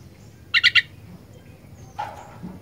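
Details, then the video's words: Sooty-headed bulbul with fighter song: a rapid burst of three bright, chirpy notes, a pause, then a lower, harsher note, against a soft low-pitched hum. "Kicauan Kutilang Gacor Fighter"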